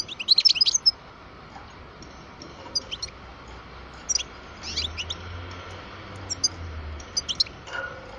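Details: Parva goldfinch, twelve years old, opening with a dense run of sharp high twitters, then giving scattered single chirps and short clusters of notes through the rest of the recording.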